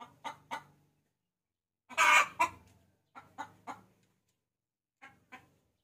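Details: Hen summoning a rooster, played as a lure: pairs of short clucks, a loud raspy squawk near two seconds, more paired clucks, and a faint low hum beneath some notes.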